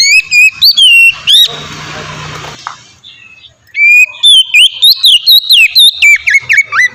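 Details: Oriental magpie-robin song meant to draw other magpie-robins into singing: clear whistles interrupted by a burst of hissing noise and a pause, then a long run of fast, varied whistled notes and chips.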